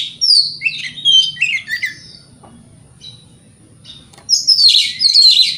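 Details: White-rumped shama song used to provoke rival shamas: a loud jumble of whistled and buzzy notes, a quiet gap with faint chips, then another rich, harsh burst of song.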